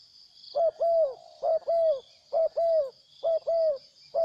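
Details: Wild spotted dove that came in and then left, giving loud, low cooing phrases. Each is a short note followed by a longer, drawn-out coo, repeated about once a second over a steady high insect hum.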